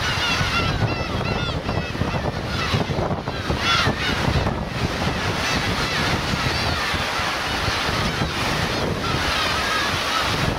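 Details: Black-tailed gull colony of parents and chicks, Teuri Island's Kurosaki coast, Hokkaido, June 2021: a burst of crowded, wavering mewing calls early on, then scattered cries fading into heavy surf and wind rumble.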